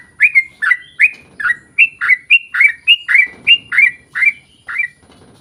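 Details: Lively sooty-headed bulbul song used to draw same-species birds into singing: a fast, steady run of about a dozen loud bright chirps, each a quick rising-falling note, over faint background rustle.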